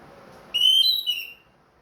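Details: Caged orange-headed thrush, back to regular singing after moulting, giving a single short phrase of clear, sustained whistles that step up slightly then fall away, lasting under a second.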